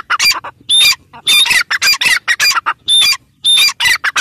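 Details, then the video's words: Partridge (teetar) calling loudly in rapid harsh bursts, scratchy grating notes about two per second mixed with thin high whistled tones, close and dominant. "Teetar ki boli | teetar ki awaaz | dakhni teetar ki awaz"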